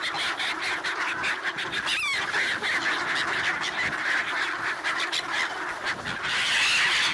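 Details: Many black-headed gulls clamour for bread at a swan lake in Ibaraki, Japan, 28 December 2017, amid swans and ducks; a steady wall of raucous, grating cries, one sharp rising squeal standing out, growing louder near the end.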